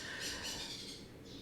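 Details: Pet sun conures chirp loudly outdoors, heard through an open door, in harsh, high, screechy bursts from a short distance away.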